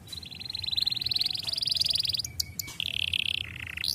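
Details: Starblue colour canary song for tutoring young canaries: a long high buzzy trill with a low hum beneath, broken by sharp clicks, then a second shorter trill section.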